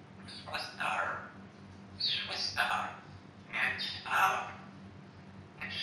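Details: Pet female African grey parrot, about two years old, talking: several rough, voice-like mimicked phrases with harsh whistled overtones, roughly every second or two, over a steady low indoor hum.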